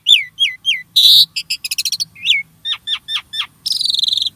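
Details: Starling song played to encourage caged birds to sing: three falling whistled notes, a loud buzzy burst, a rapid stuttering series of chips, more falling notes, and a closing high rattle.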